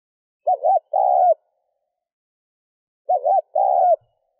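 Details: Two cooing phrases of a spotted dove, meant to excite a decoy bird. Each is a quick wavering note followed by a longer, even coo, and a long pause separates them.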